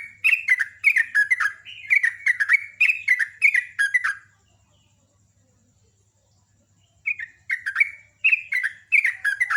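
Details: Sooty-headed bulbul in energetic champion-style song: about four seconds of quick, repeated bubbly chirps falling in pitch, a pause, then another fast run. A faint low hum runs throughout.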